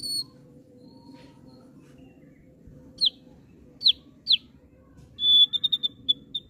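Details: Thick-billed heleia kept in care gives three sharp, falling high whistles spaced about half a second apart, then a long level whistle and a quick run of five short clipped notes. A low background hum is present.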